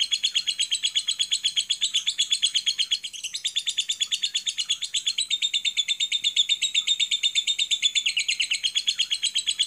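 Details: Lovebird masteran recording of the long ngekek song used to stimulate other lovebirds: a continuous, high, buzzy chattering trill of rapid pulses, several each second, running unbroken through the whole stretch, with a slight dip midway.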